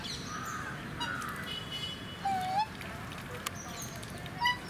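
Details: Black swans in Mysore Zoo, India, giving a clear, tonal, slightly rising whistled note lasting about a third of a second, with a few fainter whistles and chirps over a steady low background rumble.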